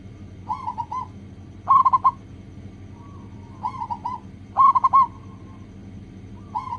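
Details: Singing local zebra dove as bait to stir other doves into song: quieter double coos answered by louder rapid cooing bursts, irregularly spaced, steady low hum behind.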